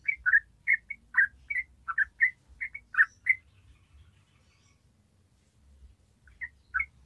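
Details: Yellow-vented bulbul singing the ropel song, used as a lure so young birds sing too: a lively string of short gurgling double notes for three seconds, a pause, then a few more bubbly notes.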